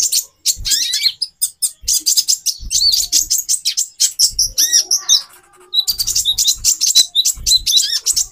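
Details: Calling female konin sunbird meant to trigger mating drive in a male; bright, high chirps mixed with a few lower slurred whistles, delivered in quick bursts, with faint low bumps.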